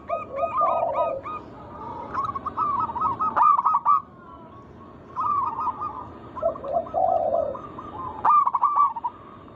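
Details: Local zebra dove sings repeatedly to entice other doves: stuttering rattled phrases over low gurgles, separated by short silences, each phrase ending in a run of quick rising notes.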